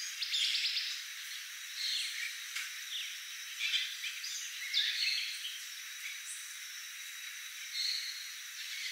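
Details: Macaws in Manuel Antonio, Costa Rica, give harsh, grating squawks in short bursts every second or two, over a steady high insect whine and scattered thin chirps.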